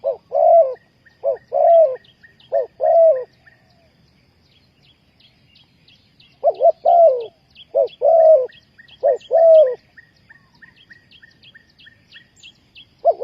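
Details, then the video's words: Spotted dove cooing as a lure for wild dove trapping: repeated three-note phrases of low, hollow coos in two bursts separated by a pause, about 47 notes a minute, over faint, regular high bird chirps. "นกเขาใหญ่สายต่อดิน,Tekukur pikat,Cu gáy Ninh Thuận,Sound Of dove"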